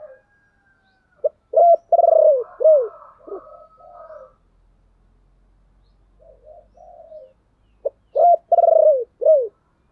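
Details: Spotted dove calling to lure others: two loud phrases about six seconds apart, each a clipped note, a long throbbing coo and an arched falling coo, with quieter cooing from other doves between them.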